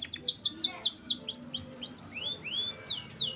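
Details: Canary song made of quick, bright whistled notes, each sweeping downward, given in a rapid run at first and then spaced slightly wider, about three per second. The notes are clear and loud against a quiet background.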